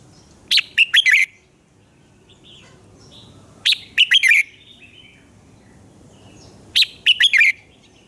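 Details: Red-whiskered bulbul singing at dawn, recorded as a lure to train other bulbuls' voices: three short whistled phrases of four quick, slurred notes, repeated about every three seconds, with faint distant birds between.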